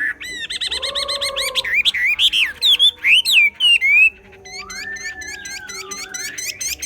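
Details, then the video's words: Chinese hwamei from the highlands of Ha Giang, Vietnam, singing in the fanned display style called hót xòe: rapid repeated whistled notes, loud looping phrases, then a long sliding whistle, over a low background hum. "Họa mi xoè"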